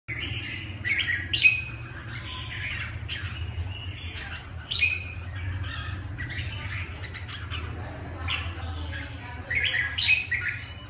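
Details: Red-whiskered bulbul performing the song style called "cánh 3": bright, bubbly whistled phrases with quick rising and falling notes, repeated in short bursts over a steady low hum, with overlapping chirps throughout.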